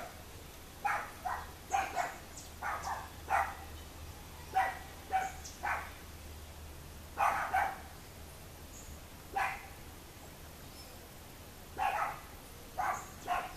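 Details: Boat-billed flycatcher (Megarynchus pitangua) filmed at Miraflores hamlet, Barinitas, Barinas, Venezuela, giving short, harsh, nasal notes, often in pairs, repeated irregularly every second or two over a low steady hum.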